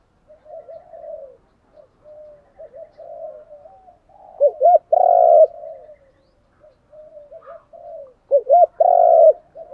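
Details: Spotted dove decoy calling to stir wild doves to coo in reply. Soft, distant cooing runs throughout, broken twice by a loud phrase of two short arched notes and a long rich coo.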